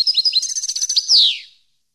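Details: European goldfinch song used for training captive birds: a quick run of high twittering notes, then a fast rattling series ending in a loud buzzy downward slur that fades out.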